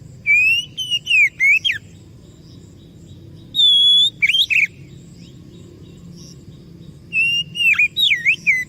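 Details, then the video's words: Oriental magpie-robin singing in short bursts as a lure for answering birds: a quick volley of swooping whistles, a pause, a sustained high note with chatter, a longer silence, then another twisting whistled phrase. "PANCINGAN BURUNG KACER DIJAMIN IKUT NYAUT"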